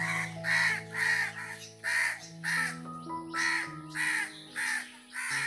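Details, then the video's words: A crow in a tree gives harsh, hoarse caws in a steady series, nearly two each second, over soft background music. "সো দেখতে পাচ্ছেন কাক গাছের উপর কাকা করতেছে।"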